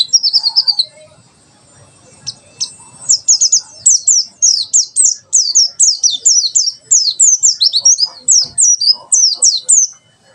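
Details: Pleci white-eye in 'tembakan sejalur' song style: after a short opening trill and a pause, a long unbroken string of sharp, high, rapid downslurred chirps pours out for several seconds. Used as a tutor recording for birds learning song.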